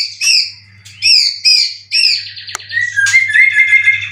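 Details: Caged white-rumped shama prepared for song competitions in Indonesia, with cililin material: high, sharply falling whistled sweeps in separate bursts, a single click, then a trilling high passage over faint low hum.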